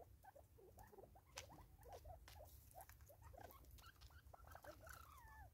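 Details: Five Natal spurfowl feeding together in South Africa in 2024, giving dense, rhythmic low clucks and chuckles that overlap continuously, with sharp tapping and pecking clicks scattered throughout.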